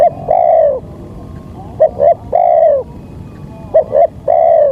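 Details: Spotted dove giving lure calls to attract wild doves; long sustained coos alternate with pairs of short notes, three phrases in quick succession over faint background rumble.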